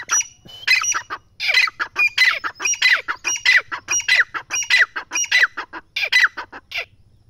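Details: An excited partridge gives a steady run of raspy, squawking notes, about one and a half per second, repeated throughout with little pause.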